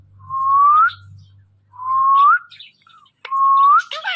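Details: Pet parrot that talks nonstop gives three clear, loud, upward-gliding whistles, each lasting under a second, separated by short pauses, with faint low hum early on.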